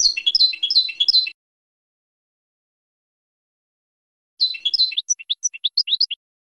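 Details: Training song of a European goldfinch for young birds: a short burst of fast, jangling twitters, a few seconds of silence, then another twittering phrase ending in separate, high, clear chirps.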